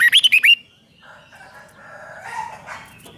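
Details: Red-whiskered bulbul song for stirring up caged birds: a single brief burst of five rapid, wavering whistles at the start. Only soft, murmuring background bird sounds follow.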